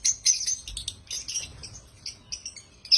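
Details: African lovebirds giving happy chirps, a scatter of sharp, high squeaky notes, louder at the start and end and softer and more spaced in the middle, over a faint low background hum.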